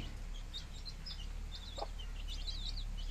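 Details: Young chickens, 15 days old, in a village: dense high-pitched peeps repeated rapidly, with one lower, fuller cluck near the middle, all above a steady low hum.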